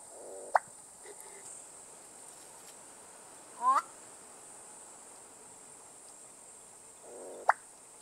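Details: Black-bellied bustard (korhaan, Lissotis melanogaster) calling: two sharp pops, each after a soft low rasp, about seven seconds apart, with a brief rising croak between, over steady high insect buzzing.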